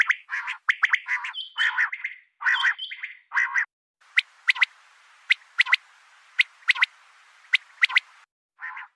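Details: Female common quail calling: a run of harsh, buzzy bursts of raspy notes, then a quieter stretch of sharp, clicking ticks at irregular intervals over faint hiss, ending with one more buzzy burst.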